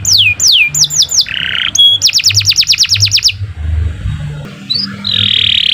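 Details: Energetic canary singing for master training: swooping descending whistles, a brief buzzy burst, then a rapid run of sharp down-slurred notes, a pause, and a drawn-out high buzzy trill, with a low background hum.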